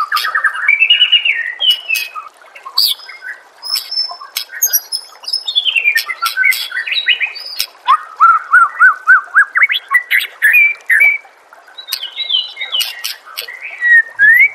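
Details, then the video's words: Varied master song of a white-rumped shama meant to coax other birds into singing: whistled phrases, sharp high chips, and a run of short rising notes repeated quickly in a row. "murai batu anda dengar suara MASTERAN burung"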